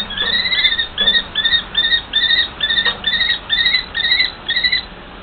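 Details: Mated pair of common kestrels in an extended back-and-forth, sharp high kee-kee notes repeated about twice a second in a steady, even series.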